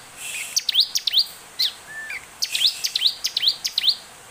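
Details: Lure song of an olive-backed tailorbird to prompt other birds: quick up-slurred chirps in clustered bursts, high and sharp, separated by short gaps, with a soft lower whistle between.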